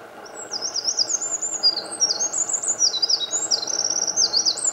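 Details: A Eurasian wren in Japan, 8 May 2014, singing in morning sunlight, pours out a loud, high, rapid song of fast trills and sharp zigzag notes without pause, over a soft steady rush.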